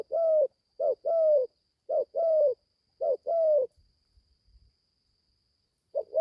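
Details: Young spotted dove, newly beginning to call, on its first forest training outing; four low two-part coos about a second apart, then a pause with faint soft knocks before the next coo begins, over a thin constant high tone.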